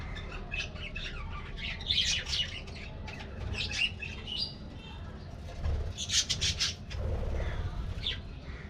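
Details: Colorful budgies in a colony aviary are given a morning treat: scattered high chirps and short warbles come and go, with soft fluttering and a low hum throughout.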